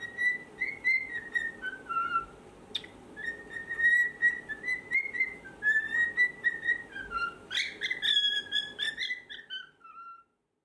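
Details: A 4-year-old cockatiel indoors, singing from a high spot in its morning routine before its cage is opened, whistles a long, tune-like run of clear, mellow notes sliding up and down, ending on a brighter flourish.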